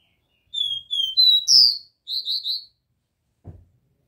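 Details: Copper seedeater singing the pure Dó Ré Mi song style: a phrase of clear, high whistled notes, the first two slurring downward, then a rising, emphatic whistle, followed by three quick buzzy notes; a faint thump near the end.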